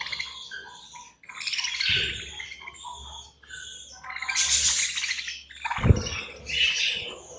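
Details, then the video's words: Pet budgerigars chirping during feeding time, overlapping high twittering and squeaky notes in rapid, irregular bursts, with a few low thuds from the cage. "Budgies Feeding Time"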